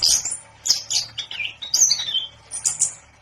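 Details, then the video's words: Short burst of orange-headed thrush song, called anis kembang locally: a high sharp note, then descending slurred whistles and squeaky fragments, repeated in quick bursts. "10 Burung Anis Kembang Yang Super Gacor"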